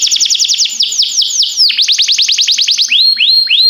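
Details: Canary of timbrado type singing for training other canaries: rapid series of falling whistled notes repeated many times, a deeper dip, then a few slower upward-curving whistles.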